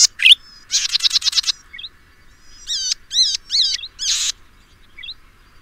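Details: Golden-headed cisticola of the Taiwan endemic subspecies, recorded in Pingtung County, Taiwan, in 2015, a resident of lowland grassland and marsh: a fast buzzy chattering burst, then clear whistled upslurred notes and another rasping buzz, with faint background chirps.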